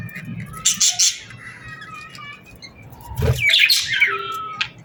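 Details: Summer sunset birdsong: a few sharp chirps, a pause, then a burst of chatter ending in a clear falling whistle, with a dull low knock at the restart.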